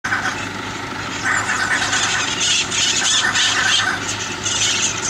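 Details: Hyacinth macaws giving harsh, raspy screeches that swell and fade in overlapping bursts over a steady low hum.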